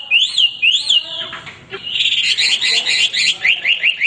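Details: Caged male hwamei in continuous song for training: two arching whistled notes, then a dense, fast rattling trill of repeated buzzy phrases.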